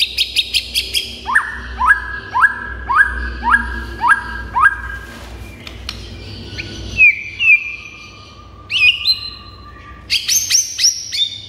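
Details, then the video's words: White-rumped shama song meant to provoke other shamas into answering and agitation: high chips, then a run of repeated rising whistled notes every half second, a long flat whistle and sharp high notes to finish. "MURAI BATU GACOR , DIJAMIN MURAI MANAPUN AUTO NYAUT DAN NGAMUK SEKETIKA"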